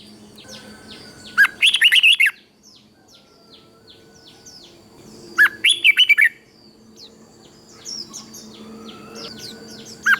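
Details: Red-whiskered bulbul from Thailand, kept in a cage, singing southern master-style song played to excite other bulbuls: three bright, chattering whistled phrases about four seconds apart, with faint chirps and a low hum behind.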